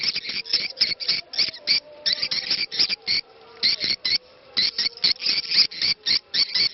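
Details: Swiftlet lure call of the 'ceklok' type, played to attract swiftlets, with a call to prayer said to be faintly audible. Rapid, harsh, clicking chirps come in irregular bursts of about four per second, with brief pauses between runs.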